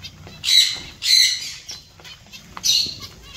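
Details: Three separate loud bursts of harsh, nasal chatter from a zebra finch colony, each about half a second long, with quiet gaps between them.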